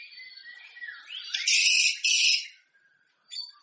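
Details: Singing white-rumped shama meant to prompt other shamas before a singing contest: soft warbling whistles rising into two loud, harsh buzzy bursts, a short silence and a final sharp note.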